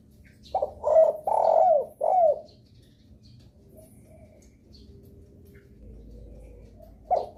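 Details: Spotted dove giving a lure call meant to make other doves respond: three mellow coos in quick succession, the last sliding downward, then a long quiet pause before another coo begins at the end.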